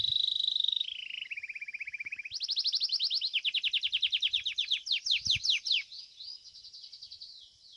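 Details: Domestic Belgian canary in a singing competition: a steady held whistle, then a lower trill, then long rapid rolls of rhythmic rising pulses and a faster tour of sweeping notes.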